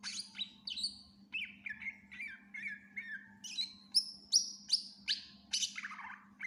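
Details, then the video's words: Greater green leafbird singing a song packed with fill-in phrases: steady string of falling whistled notes repeated about two or three per second, climbing into higher piercing notes, then a descending trill, with a low hum behind. "Cucak Ijo gacor FULL Isian"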